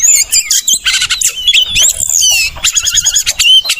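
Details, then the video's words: Oriental magpie-robin song used as lure and tutor for caged birds gone silent or moulting: harsh buzzy chatter mixed with high whistles and a rapid stuttering rattle of repeated notes. "Pancingan dan Masteran Burung Kacer | macet bunyi | mabung"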